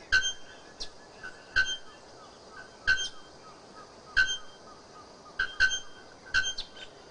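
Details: Bare-throated bellbird, known locally as araponga or ferreira, giving its loud, shrill song: sharp metallic clanging notes struck singly and in quick pairs, roughly every second, each ringing with bright overtones over a soft background hiss.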